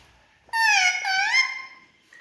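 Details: Indian ringneck parrot kept as a pet, chattering at its mirror reflection indoors: one loud, nasal, voice-like phrase lasting about a second, dipping then rising, in a quiet room.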